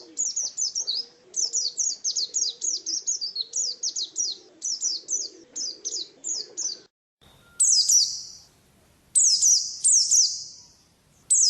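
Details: Oriental white-eye in ngalas style, first pouring out quick high twittering bursts over low murmurs, then after a short break giving a few longer, ringing high notes that trail off.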